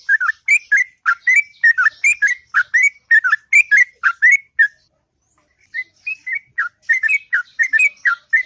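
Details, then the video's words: Morning song of a sooty-headed bulbul: rapid runs of liquid, bubbly whistles in twos and threes, a short silent gap in the middle, then the phrases resume. "Burung Trucuk Ngropel Panjang & Merdu Di Waktu Pagi"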